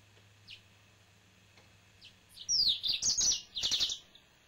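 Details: A few faint isolated notes, then a loud, quick phrase of high slurred whistles and chirps from a male yellow-fronted canary kept as a pet; low hum in the background.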